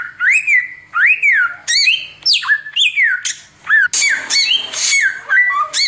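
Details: Oriental magpie-robin delivering nonstop tembakan song for tutoring birds: repeated arched whistles, steep sliding notes, then a run of harsh buzzy bursts and stepped whistles.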